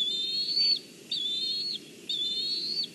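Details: Juvenile black kite calling from a branch in Kurzeme, Latvia, on 14 July 2023 as its mother arrives with fish; high, thin whistled calls with a quavering, slightly rising tone, three long notes about one second apart.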